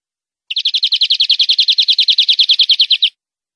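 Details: European greenfinch song on a clean recording meant to educate captive birds: a fast, even trill of about twenty bright twittering notes packed into under three seconds, with nothing else audible.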